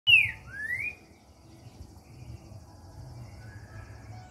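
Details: Green-winged saltator, called trinca-ferro, singing a short phrase: a loud whistled note sliding down, then a second rising whistle, followed by quiet background hum.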